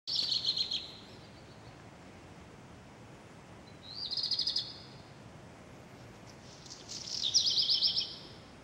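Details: Redstart song recorded in Wattenheim, Pfalz: three short high bursts of rapid, scratchy, buzzing notes spaced a few seconds apart, over a faint steady background hiss.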